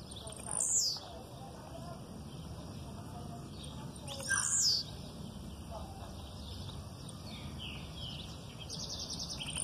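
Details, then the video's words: Blue-black grassquit giving an aggressive song, with female calls in the background; two short high buzzy downslurred notes about four seconds apart, each a quick rasping burst, over steady low background noise. "Tiziu canto agressivo com piado de fêmea no fundo para esquentar machos e ensinar filhotes."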